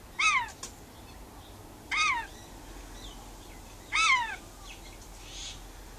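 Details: Rainbow lorikeet kept as a pet, out on a verandah calling to outside birds: three sharp, downward-sweeping ringing calls roughly every two seconds, with a faint softer call near the end and a quiet hum beneath.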